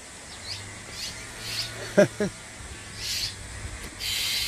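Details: Two quick, harsh, rasping notes from a Bull-headed Shrike nesting in a persimmon tree at a farmhouse in Geumsan, South Korea, a parent defending its six chicks, over faint high chirps, a low hum and brief human voices.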